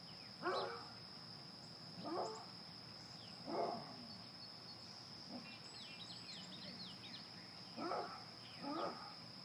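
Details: Red-bellied woodpecker giving six short, harsh rolling calls, spaced one to two seconds apart, over faint high chirps from small birds and a steady high hiss.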